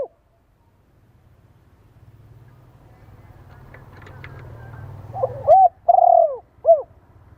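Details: Spotted dove call meant to stimulate decoy birds. A low rumbling background swells for several seconds before one full three-part coo phrase, with a stuttered lead-in, long quavering middle and short closing note.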